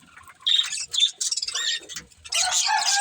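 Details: Budgerigar breeding pair eating: a few quick, piping high chirps, then a louder, buzzy, rasping warble filling the final second.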